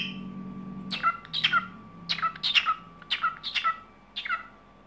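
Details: Pet cockatiel vocalising in the evening, groups of two or three sharp chirps with falling tails repeated irregularly, a low appliance-like hum fading out over the clip.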